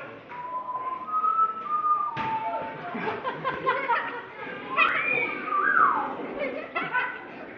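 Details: A captive parrot at Folly Farm, Pembrokeshire, fond of wolf whistling: clear whistled notes, a level tone then a swooping rise-and-fall wolf whistle, over steady chatter of people indoors.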